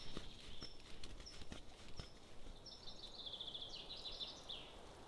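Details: Golden eagle at a nest in Estonia, 20 June 2022: a few thin, high whistled notes, then a quick run of faint chips, with dull knocks and rustling underneath.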